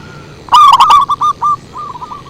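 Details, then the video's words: Zebra dove lure song: a loud, slightly distorted burst followed by a rolling series of short cooing notes, then a pause and another softer trill-like run of coos, in a quiet background. "Suara Merdu PIKAT PERKUTUT"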